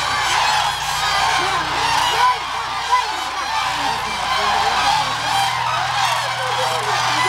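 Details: Tens of thousands of migratory Common Cranes feeding on scattered corn and peanuts at Hula lake, Israel, on 31 December 2011; a loud mass of rolling bugled calls with possible voices mixed in and a low mechanical drone that drops near five seconds.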